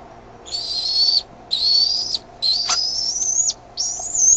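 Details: Bald eaglets in the Decorah nest on 13 May 2015 at 6:35 PM, growing noisier as a parent brings food; four long, high, thin whistled squeals, each slightly rising and lasting about half a second to a second.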